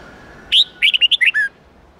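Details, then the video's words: Wild-standard 8-9-10 note song of a red-whiskered bulbul, used to teach young birds: a single rapid phrase of about seven bright, bouncing whistles, ending on a lower drawn-out note over a faint steady hum. "Luyện Chào Mào Hót Giọng 8-9-10 Ép Chim Non Học Giọng Chuẩn Rừng"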